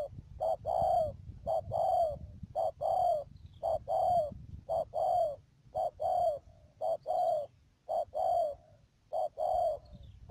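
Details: Steady, rhythmic cooing from a spotted dove decoy used in bird trapping in Cà Mau, Vietnam, 12 March 2019: about ten short-long coo pairs, each ending with a falling tail, over a low rumbling background.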